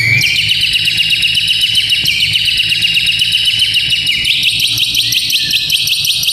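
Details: White-rumped shama rattling phrase used to train young fighting males: a rapid, steady, buzzy trill of pulsed high notes held for several seconds, easing lower near the end.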